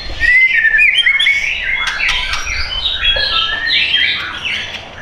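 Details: White-rumped shama at a bird shop in Tangerang Selatan, Indonesia, kept for sale, singing a dense, rapid run of varied whistled and chattering notes that overlap continuously, with some low background rumble.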